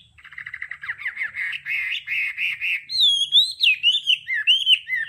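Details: Hwamei 'đảo âm' song for voice training: a fast rattling run of short notes building in loudness, then clear looping whistles of varied pitch.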